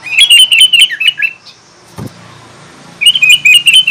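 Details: Sooty-headed bulbul in full song, used to provoke rival bulbuls. Rapid, bubbly, warbled phrases for over a second, a short click and pause, then another fast chattering burst.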